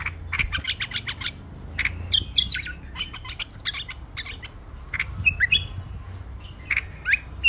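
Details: Tame bulbul mixing brief whistled slurs with many sharp clicks and scratchy taps, rapid and irregular, with a low background hum throughout.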